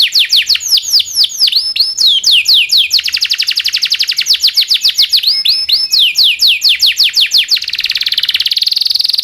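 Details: Domestic canary in prolonged rolling master song for training canaries: quick falling whistles merge into a fast continuous roll, with varied tours and a final high buzzy trill.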